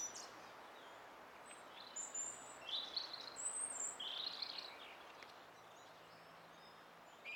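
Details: Song thrush, 20 April 2016, singing higher, more varied phrases: thin whistles and twittering runs with no clear repetition, softer and partly masked by steady hiss.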